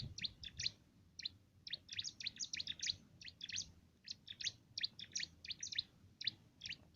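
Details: Loud-voiced cimblek pouring out a canary-like training song for contest songbirds: continuous bright, high chirps in quick, uneven clusters against a quiet background.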